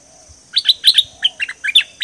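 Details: Lure song of a dok taeng bird used to train and decoy birds: about ten brisk, high, chirped notes in a lively rapid sequence, with a faint low hum and a soft thump beneath.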